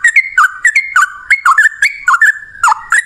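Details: Yellow-vented bulbul pouring out a long fighting chatter to lure other bulbuls into song: crisp whistled notes that rise and fall, each with a sharp click, tightly packed in pairs.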